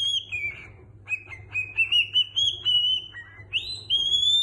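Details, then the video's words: Pet cockatiel copying human songs, La Cucaracha and a Niko Pandetta number, with a string of clear whistled tones that hold, dip and rise in a tune-like line, ending on a higher sustained whistle; faint hum behind. "Pappagallo Calopsite canta dove e quando cucaracha e la canzone di Niko Pandetta"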